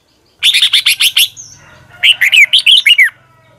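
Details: Morning training song of a red-whiskered bulbul from 2020 in a long twisting double voice: one phrase of six evenly repeated chirpy notes, then a run of looping whistles ending in a falling slur.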